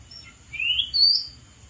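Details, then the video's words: Oriental magpie-robin singing in the wild from a dead tree; two clear upward-gliding whistles, the second higher and longer, against a soft low hum. "KICAU BURUNG KACER DI ALAM LIAR | GACOR DARI ATAS POHON MATI"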